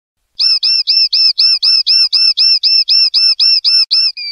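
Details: Clean-style linnet song, known in silvestrismo as pardillo limpio: a steady run of about fifteen identical bright chirps, four per second, ending on a softer drawn-out note, with no other sounds.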